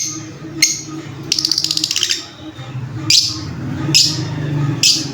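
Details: Lovebird giving shrill, sharp chirps: a single note, then a fast rattling burst of repeated notes, and three loud separate chirps about a second apart, over a low steady background hum.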